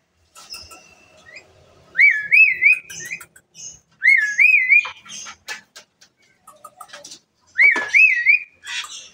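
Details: Lively Asian pied starling song that sets other birds calling: three undulating whistled phrases, rising then wavering, separated by clicks, sharp chips and short squeaky notes.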